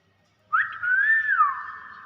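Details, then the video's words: Common hill myna giving one whistle that starts with a sharp note, rises slowly, then drops and trails off, with soft reverberation. "BURUNG BEO GACOR SUARA ASLI"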